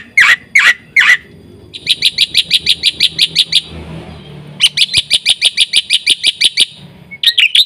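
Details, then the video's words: White starling giving a lively full song for training birds; three harsh notes open, followed by rapid bursts of bright repeated chirps separated by a short pause. "suara burung jalak putih gacor full isian"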